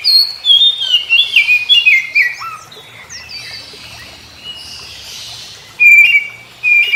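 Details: Oriental magpie-robin in morning song, replying to others of its kind: a burst of quick varied whistles and twitters, a low slurred note, a quiet pause with faint distant chirping, then loud whistled phrases resume.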